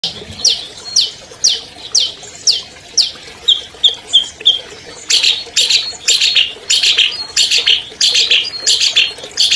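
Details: Albino long-tailed shrike, a 2020 contest champion, in a master recording used to lure silent shrikes into singing: a run of sharp, rising harsh notes about twice a second, then denser buzzy chattering phrases.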